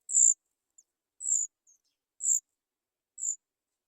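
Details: Begging from three baby Sooty chats awaiting food: high, hissy drawn-out notes repeated about once a second, four in all, with a couple of tiny faint peeps between them and a quiet background.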